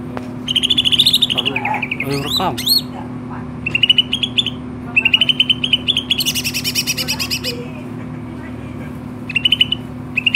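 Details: A greater green leafbird sings actively: short bright trills at a steady pitch, sharp up-and-down whistles, and a loud buzzy harmonic burst midway, repeated in bouts with a low hum throughout.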